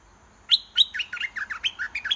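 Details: Red-whiskered bulbul kept as a caged decoy, singing on and on until a wild bird comes down to fight; a loud, rapid string of about ten sharp, bright chirps with warbled downslurs, closely spaced.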